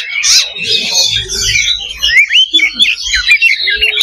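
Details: Oriental magpie-robin (kacer) in a loba fighting simulation meant to build fighting spirit. Loud, rapid tumbling song of harsh notes and sweet whistles, with quick twisting slurs in the second half and a faint low hum beneath.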